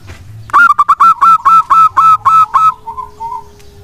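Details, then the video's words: Local wild-type zebra dove singing, used as a lure to prompt lazy doves to answer and sing; a fast series of about nine loud, clipped ringing coos over two seconds, then softer trailing coos. "perkutut lokal alam GACOR pancingan kutut malas pun langsung nyaut dan rajin bunyi."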